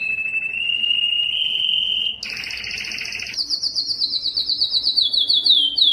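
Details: Belgian canary delivering a powerful song to attract females for breeding: a long even whistled tone, then a buzzy double-pitched roll and a high pulsing trill repeated rapidly.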